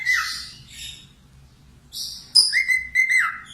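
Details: Budgerigar warbling, recorded as a tutor track for training cockatiels: buzzy, raspy chatter in two short bursts, a quiet pause, then a run of thin, level whistled notes mixed with scratchy clicks.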